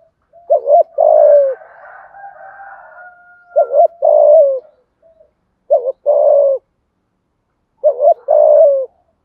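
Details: Spotted dove used as a lure bird, with a local-style voice, cooing steadily to provoke a wild dove: four phrases, each a short double hoot then a drawn-out falling coo, with a faint thin whistled tone behind early on.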